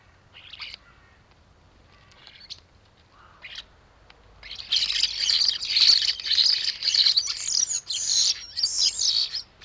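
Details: Common starlings squabbling at garden feeders in Théding, France, on 14 December 2022. A few scattered squeaky notes lead into a dense, continuous burst of harsh, scratchy chattering and rasping calls.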